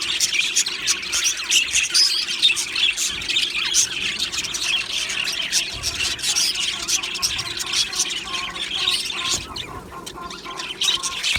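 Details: Flock of Australian budgerigars chirping in an aviary, rapid overlapping squawks and tweets in a constant chattering stream that thins slightly near the end.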